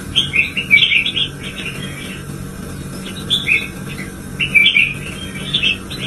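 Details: Red-whiskered bulbul goaded into fierce, fiery singing: two bursts of quick, bright chirping warbled phrases, the first near the start and the second after a pause midway, over a low steady hum.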